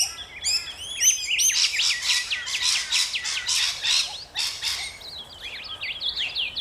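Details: Rainbow lorikeets, Australia, give thin high chirps that give way to a dense stretch of harsh rasping screeches, then fade back to scattered squeaky whistled notes.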